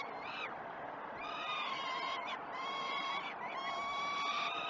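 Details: Hungry peregrine falcon young at Great Spirit Bluff during a morning feeding, 12 June 2018, live nest cam: rapid, choppy screeches with sudden upward swoops, running into longer wavering wails.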